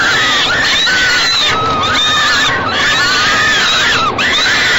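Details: Falcon babies in a nest box scream hoarsely while their mother feeds them on a May 2013 evening. Strained, arching cries repeat and overlap, with a brief click near the end.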